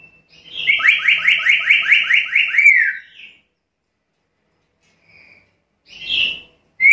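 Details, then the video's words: Vocal black-capped lory giving a loud rapid trill of about nine buzzy upslurred notes over two seconds, ending in a drawn-out downslurred note, then silence and two short harsh squawks. "Suara burung nuri kepala hitam gacor"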